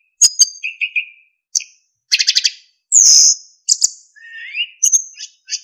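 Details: Captive narcissus flycatcher in active training song with clear whistling: high chips, low whistled triplet, a buzzy stuttered burst, a loud drawn-out high whistle, a rising lower slide and scattered high notes.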